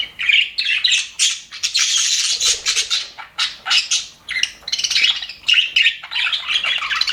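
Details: Cheerful budgerigars in an aviary trade choppy bursts of sharp squeaks and twitters, with brief gaps and a soft wing-flutter-like sound in between.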